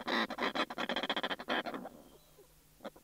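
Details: Snow petrel pair calling at close range from inside their nest, recorded in June: a harsh, rapid rattling chatter of dense pulses for nearly two seconds, a break, then two brief rasping notes.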